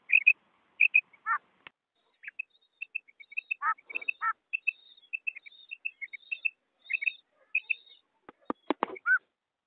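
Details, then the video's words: Female rain quail used as a hunting call bird in Pakistan gives short, high, paired chip notes at an irregular pace, with a few lower slurred notes and some sharp clicks near the end. "Batair madi ki karik best karik"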